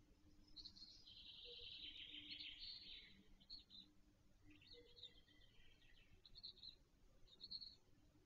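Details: Black stork chick, the latest to hatch, at its nest in Wolsztyn, Poland, 17 June 2024, via nest webcam: a long hoarse rasping wheeze of two seconds, then shorter broken buzzy bursts and brief chirps, steady background hum.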